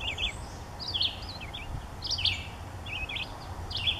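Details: A nesting chickadee at Daly Point Nature Reserve in May 2015 gives short, high, twittering notes in little bursts about once a second, over a steady low rumble of background noise.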